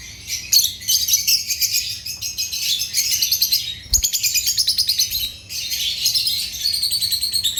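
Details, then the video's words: Lovebirds (Agapornis) chirping steadily in rapid, high, rattly trills. Near-continuous chatter is broken by a short pause and a soft thump midway. "Agapornis lovebirds chirping sounds"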